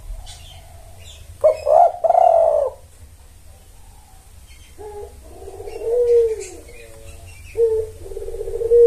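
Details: Spotted dove coos luring males: a strong stuttering coo phrase, then softer, lower, drawn-out coos that sag in pitch, faint bird chirps and a low rumble underneath.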